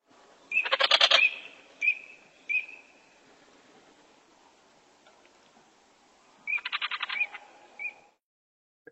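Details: Eurasian teal (Anas crecca), cackling call: flight call given during nocturnal migration.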